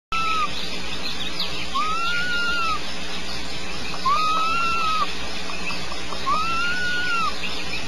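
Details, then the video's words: An owlet snores with drawn-out, wheezy notes that rise and fall, roughly one every two seconds, over a steady background hiss. "Snoring owlet"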